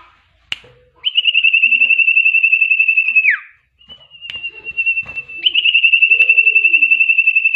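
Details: Common iora in lively 'gacor' singing with a full 'isian' repertoire: a high, pulsing trilled whistle held steadily about two seconds, sliding down at the end, then after a short pause a second long steady trill, with a few sharp clicks.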